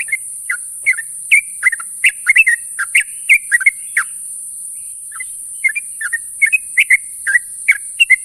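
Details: Sooty-headed bulbul calling companions at morning time, a busy sequence of short, warbling whistled notes about three each second, briefly easing around the fifth second before picking up again, over faint hiss.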